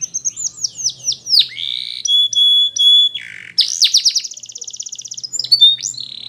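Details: Belgian canary with quick descending chirps, clear level whistles held about half a second each, then a rapid buzzing trill and a few final sweeps.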